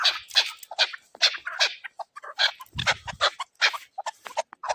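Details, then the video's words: Hunting chukar partridge calling with a steady stream of harsh, clucking chuck notes, about two or three per second, in uneven clusters, with a brief low rumble midway. "Shikari chakoor awaz keklik sesi"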